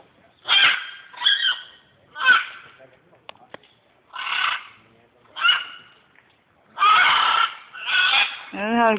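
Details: Macaws squawking in Guatemala, Central America, during a 2010 trip: a run of harsh, raspy bursts about a second apart, with quiet gaps between, ending in a wavering, voice-like harmonic cry.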